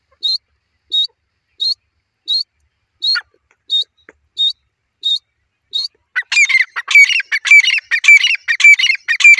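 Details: Grey francolin, a new pair, calling: about six seconds of evenly spaced short, high, clipped notes roughly every 0.65 seconds, then a loud, harsh, rapid burst of repeated rasping phrases rising in intensity.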